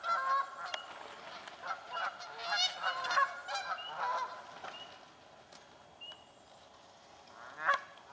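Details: Several Canada geese squabble over nesting places in swampland, giving irregular bursts of harsh honks that thin out midway, with one last loud honk near the end.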